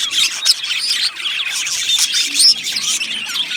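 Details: Colony of Australian budgerigars in an aviary, many birds chirping and warbling together in a dense, continuous high-pitched chatter of quick squeaks and twitters.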